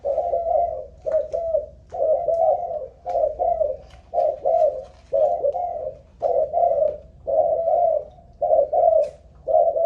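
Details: Spotted dove of a Malaysian line, used as a ground decoy and tested for cooing endurance, gives a long steady run of soft two-part coos, roughly one phrase per second, over faint low hum.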